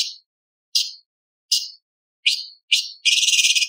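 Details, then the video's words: Light-vented bulbul song in the 'tembakan' style with mimicked 'isian' phrases of lovebird, parakeet, ciblek and pancawarna: five crisp, high chirps spaced about half a second apart, then a loud buzzy rattling trill. "CUCAK CUNGKOK ISTIMEWA - TEMBAKAN ISTIMEWA ISIAN LOVBIRD PARKIT CIBLEK PANCAWARNA"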